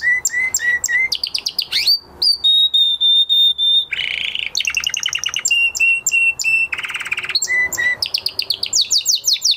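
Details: Canary singing after its moulting period: a varied run of tours, steady whistled notes near one pitch, fast buzzy rattles and rapid repeated chirps, changing phrase every second or so.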